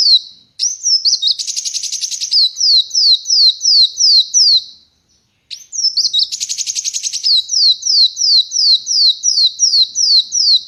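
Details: Free-singing kolibri wulung sunbird on a hand, no cage: twisting chirps lead into a harsh buzzy trill, then long regular runs of high, slurred downward whistles, about three each second.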